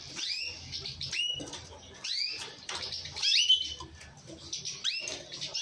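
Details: Orange mosaic canary repeating clear, high down-curving whistled notes roughly every second, one louder twittering burst midway, over a soft low hum.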